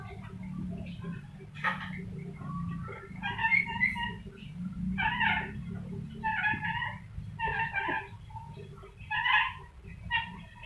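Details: Chicken-like clucking from a rainbow lorikeet, a recording meant for training birds: uneven series of nasal, stacked cluck notes with pauses between, over a steady low indoor hum.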